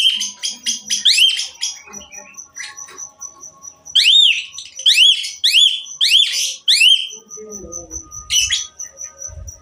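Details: Energetic Asian pied myna song, full of varied fill-in phrases and meant to get other mynas singing. Bursts of quick upward-sweeping whistles and sharp chattery notes alternate with steady high tones, ending in lower rustling sounds.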